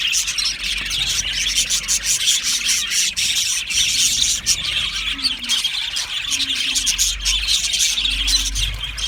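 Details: Australian budgies in an aviary colony producing continuous high chatter with occasional louder squeals and squawks standing out, plus a low hum and faint low tones beneath.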